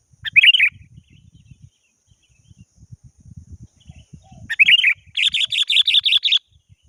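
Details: Sooty-headed bulbul calling a rival: a short bubbly warbled phrase, a pause filled with faint low rumbling noise, then another phrase followed by a rapid chattering burst of repeated notes.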